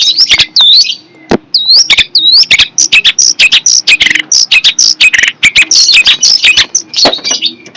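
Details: Caged long-tailed shrike singing aggressively: a fast, restless stream of sharp chirps and clicks mixed with high swooping whistled notes, delivered in dense bursts with barely a pause.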